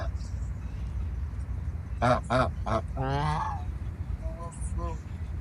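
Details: Geese on a farm: after a quiet start, three quick loud honks, then a drawn-out quavering call and a few softer notes, over a steady low rumble.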